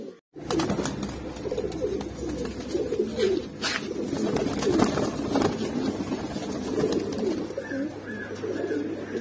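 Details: After a brief silence, many Mookee pigeons from a red, black, yellow and silver collection burst into dense, gurgling coos, with loud knocks, rustling and a steady low hum underneath.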